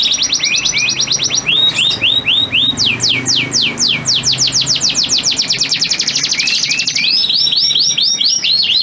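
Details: Male breeding canary singing to entice a receptive female; lilting looped notes, then long runs of rapid descending sweeps, about four per second, ending in rolling trills.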